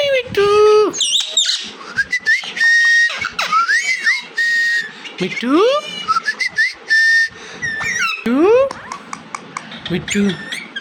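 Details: Pet Indian ringneck parakeet mimicking speech: a dense run of chirpy whistles, rising sweeps and held whistled notes, with harsh squeaky syllables and quick clicks in between.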